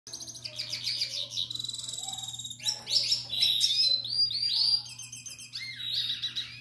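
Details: Young Timbrado-type canary from last season's brood, captive, singing to a female during breeding: fast varied song of rattling trills, buzzy rolls and high whistled notes changing every second or so, with a steady low electrical hum behind.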